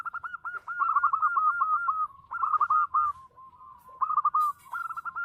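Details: Loud local zebra dove pours out almost continuous phrases of quick, rolling coos. Some notes overlap, and a soft, level tone links the bursts.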